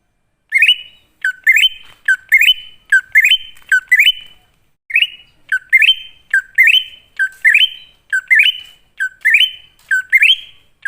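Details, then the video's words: Greater green leafbird song of the wild-type style, used as a lure to draw newly caught or silent leafbirds into singing: short rising phrases stepping up to a sustained whistle, repeated about once a second, with a few brief pauses. "Pancingan Burung Cucak Ijo Ngalas"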